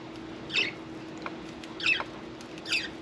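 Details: Budgie parakeet at bath time giving three short, sharp chirped squawks spaced over about a second each, separated by quiet background hum.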